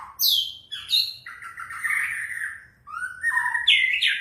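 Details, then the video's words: Lure recording of a White-rumped shama to trigger singing: high squeaky notes sliding down, then a rough, buzzy sustained warble and scratchy phrases over a faint low hum. "Pancingan murai batu 100% efektif langsung auto gacor"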